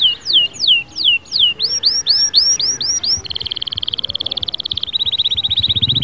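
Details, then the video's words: A canary sings a rapid, varied, high and loud song: repeated sweeping whistles, then a fast rolling trill and a buzzier chatter. "عصفوري الكناري ساكت أدخل عليه البهجة بالمقطع الاكثر تحفيز"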